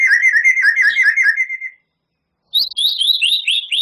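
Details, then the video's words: White-rumped shama, champion-class, delivers a fast warbled trill around mid pitch that fades, then after a brief gap launches a higher run of rapid, sweeping whistled notes. "Suara Murai Batu Juara,Tembakan Murai Batu Gacor Full Isian Kasar Panjang Mewah"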